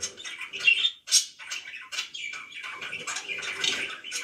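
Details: Kept budgie giving a rapid, irregular mix of harsh squawks, clicks and squeaky chirps indoors, loud sharp notes at the start followed by quieter continuous scratchy chatter.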